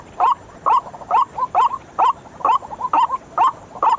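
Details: Night lure call of a white-breasted waterhen: a steady series of strident, croaking 'kwak' notes about twice a second, with softer clucking notes in the gaps.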